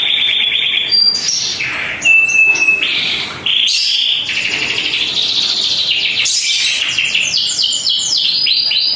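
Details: Panda-coloured canary singing energetically: a loud continuous song of rapid trills, steady whistled notes and repeated rising sweeps, delivered without pause.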